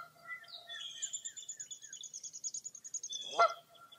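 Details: Birds at Mirror Lake State Park, Baraboo, Wisconsin, on a foggy early April morning: a long high whistled trill with rapid chirping notes, ended by one loud, harsh honk near the close.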